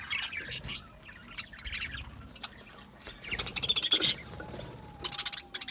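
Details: Budgerigars singing: thin high warbles early on, then a loud fast burst of repeated sharp chirps climbing to a peak around four seconds, followed by quieter chattering notes.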